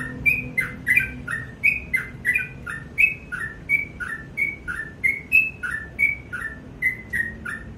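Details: Sooty-headed bulbul in full morning voice, quick whistled couplets, high then lower and slurred, following each other almost without pause, with crisp clicking ticks overhead.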